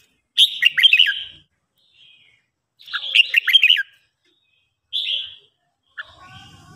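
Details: Red-whiskered bulbul singing in the morning during training: two rich, warbling phrases of looping whistles, then a single short note and faint, low background noise.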